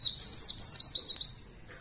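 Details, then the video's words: White-eye lure song: a rapid, very high, thin warbling twitter of quick rising and falling notes, run together for over a second before fading. "Pancingan Pleci Ampuhhh,,, Cepat Ngeplong Dan Bongkar isian!!!"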